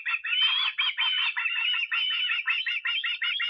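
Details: Osprey in Estonia on 23 August calling continuously with high, slurred whistles that break into quick repeated chirps.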